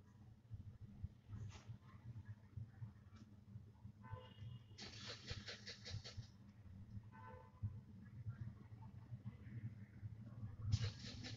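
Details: Barn owl owlets about 25 days along, losing their downy coat and sometimes stomping their feet, give harsh broadband hissing bursts, one long rasp mid-clip and another near the end, over a steady low hum with faint scattered noises.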